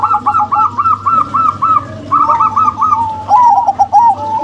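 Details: A pair of zebra doves, a local-bred female and a crossbred male, produce a nearly continuous string of rolling, bouncing coos in rapid succession, breaking briefly before resuming with slightly higher, trilling notes; low hum beneath.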